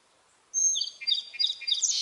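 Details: Short burst of song sparrow song: a high whistled opening note followed by quickly repeated buzzy phrases and twittering trills, the phrase cut off before its end.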